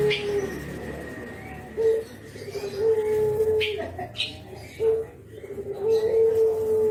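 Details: Spotted dove (brenggolo), a Javanese bird, nodding as it gives its 'kuk geruk' call, recorded for use as a lure; short, low hollow coos spaced by pauses, with faint background murmur and scattered noises.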